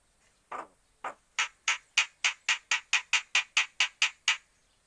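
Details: Angry starling giving a harsh scolding alarm, a rapid series of about fourteen rasping, noisy chatter notes at a steady quick pace, growing louder after the first few, in a quiet setting.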